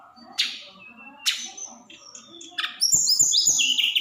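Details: A snowy-browed flycatcher in 'roll tembak' style, used to rouse other birds: sparse sharp chips and short whistles, then a sudden loud stream of high tumbling whistled notes with low tapping sounds.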